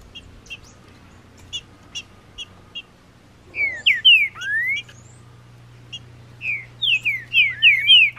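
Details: Wild green-winged saltator after moult, May 2019, singing in the bush: faint short chips at first, then loud phrases of slurred whistled notes, falling and rising, repeated rapidly, over a steady low hum.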